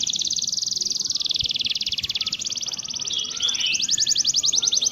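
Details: Canary song intended for training other canaries to sing and roll: a continuous high, rapid trilled roll, fast pulses in steady sequence, changing tempo about two-thirds through.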